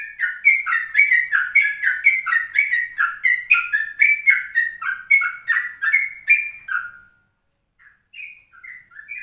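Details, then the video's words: Yellow-vented bulbul in the early morning, 04:30, recorded to tutor and lure other birds, ropelan style. Seven seconds of rapid, gurgling, rising-and-falling notes, then a pause and a few higher whistled phrases. "Pancingan 04.30 Trucukan Rekaman Pagi"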